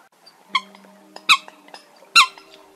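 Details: Eurasian coot lure recording, used to draw migrating birds into night nets in August 2024: three short, sharp, squeaky notes about a second apart over a faint steady electronic hum.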